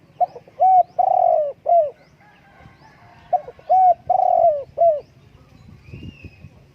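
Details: Spotted dove giving its mellow low coo phrase twice, each a rapid sequence of short notes around a longer, slightly falling middle coo, with quiet background rumble between phrases.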